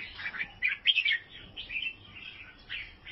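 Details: Albino sooty-headed bulbul from Vietnam in a short burst of song: a few quick whistled chirps climbing to a louder slurred phrase, then quieter twittering notes.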